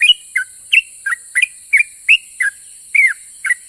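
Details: Vocal yellow-vented bulbul singing to draw answers from other bulbuls: a brisk series of about eleven bright chirps, alternating rising and dropping whistles, some doubled, over a continuous high hiss.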